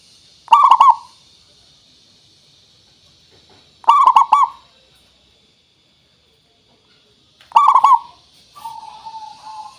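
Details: Local zebra dove song used as a lure so other doves answer: three loud, rolling, stuttered coo phrases spaced about three and a half seconds apart, ending with a softer drawn-out coo.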